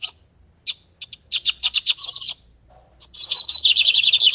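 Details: Full song of the lined seedeater, or bigodinho, for tutoring young birds: spaced chips building into a quick rhythmic series of buzzy notes, a pause, then a long thin whistle merging into rapid trills.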